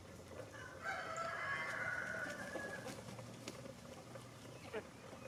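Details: Rooster crowing in the snow on a cold day while hens peck about: a distant, drawn-out crow of about two seconds, half lost under steady low rumbling background noise.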